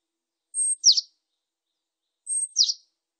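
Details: Japanese tit song: two clean phrases about 1.7 seconds apart, each a thin, very high whistled note followed by a brighter note sliding downward, with complete silence between phrases.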